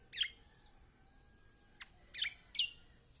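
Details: Kecial kombok calling in a lure recording for quiet birds: three brief high, slightly buzzy chirps, the last two close together, with a faint click between them.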